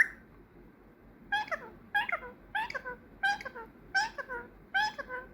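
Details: A trained pet parrot, female, that says peekaboo, thank you and muah and whistles, gives six short, bright, harmonic calls, each with a falling sweep, about one every 0.7 seconds after a second of quiet room noise.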